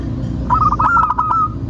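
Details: Local zebra dove (perkutut) cooing as a lure for other birds: a single phrase of about eight quick, evenly spaced short coos ending in one longer held note, over a low hum.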